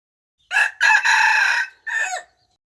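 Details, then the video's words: Rooster crowing once, a loud harsh cock-a-doodle-doo with a short opening note, a long sustained middle and a falling final note, in otherwise silent surroundings. "เสียงขันที่เข้าดี100%: suab qaib dib qua zoo dib tuaj 100%"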